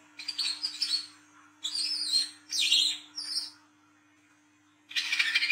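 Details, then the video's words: Olive-backed sunbird (speckled wiceh type) singing at night in ngriwik style, used as a lure for young brown-throated sunbirds: bursts of high, thin, buzzy twittering, then a pause and a final fast chattering burst. "KOLIBRI KELAPA WICEH TROTOL GACOR NGRIWIK NGLAGU"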